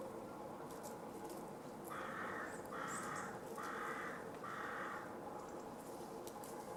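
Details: Middle spotted woodpecker recorded on 29 December 2014 at Bundek in Zagreb, Croatia: a series of four nasal, drawn-out squawking notes, each about half a second long and evenly spaced, over a steady low background hum.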